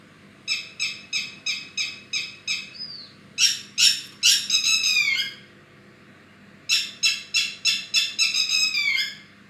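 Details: Bird starting with a series of short rasping notes about three per second and a brief downslurred whistle, then longer scratchy descending bursts, a pause, and another rapid harsh series.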